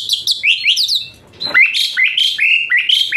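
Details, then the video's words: Asian pied starling singing as therapy for a lazy-singing starling: quick bright chirps and rising whistles, a brief pause, then repeated sharp whistled phrases. "Full Isian Mewah TEMBAKAN PANAS Khas Jalak Suren UNTUK TERAPI Jalak Suren Malas Bunyi Jadi Rajin"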